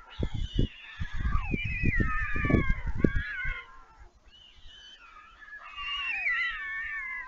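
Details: White stork young begging during feeding at a nest on Leemansmolen, Vriezenveen, Netherlands, 11 July 2022, after returning from flight. Wavering, mewing wails overlap, accompanied at first by rapid low thuds, then a quieter gap and renewed wailing.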